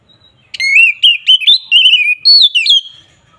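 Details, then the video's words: Kacer (Oriental magpie-robin) giving aggressive 'ngeplong' song to provoke rivals; a burst of rapid, varied whistled notes with trills and slurs, rising and falling in several quick phrases over about two seconds. "Suara burung KACER NGEPLONG ini samgat ampuh untuk menaikan emosi lawan"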